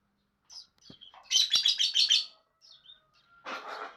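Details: Lovebird chattering with a rapid run of about five harsh high notes in quick succession, preceded by soft twitters and ending in a rough, lower raspy burst.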